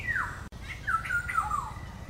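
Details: Black-hooded oriole calling: a run of short, nasal notes sliding downward, about five within two seconds and broken by a brief silent gap, over a low steady background hum.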